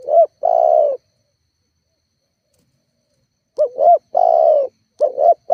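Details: Spotted dove coos for luring and goading rival doves. The end of one phrase with a long coo, a pause of about two and a half seconds, then a double coo plus long coo and another phrase beginning.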